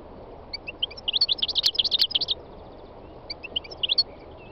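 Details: Three-year-old North African goldfinch on a spring day in Tunisia's northwest mountains, with other wild birds nearby: scattered high notes building into a dense, rapid tinkling twitter, then a pause and a few more sparse chirps.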